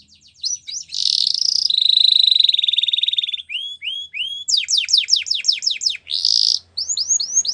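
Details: Belgian canary song used for training young canaries: a varied run of bright whistled tours, a sustained buzzy trill, then rapid rising sweeps repeated several times per second, ending in short upward notes.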